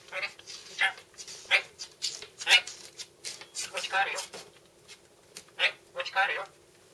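Red-breasted parakeet giving harsh, raspy squawks in short irregular bursts, about a dozen in seven seconds, some almost speech-like, in a quiet room.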